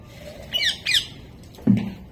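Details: Talking parrot indoors giving two short, harsh squawks about a third of a second apart, each sweeping up and down, then a lower, rougher squawk after a brief pause, over a faint room hum.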